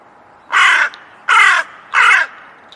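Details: A crow gives three evenly spaced rough caws, each a short harsh burst trailing off slightly lower, separated by brief silences.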